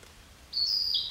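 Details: A Narcissus flycatcher sings a brief, clear, high whistled phrase that steps slightly upward, then drops to lower notes, over faint background hiss.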